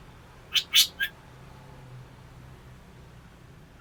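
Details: Black drongo, a bird described as fierce but unusual, giving three quick scratchy, buzzy notes close together near the start, then silence apart from a low background hum. Another harsh note begins right at the end.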